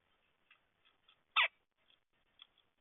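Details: Red-headed woodpecker giving a single loud, harsh, scratchy call lasting under a quarter second, set among faint soft ticking notes in an otherwise quiet background.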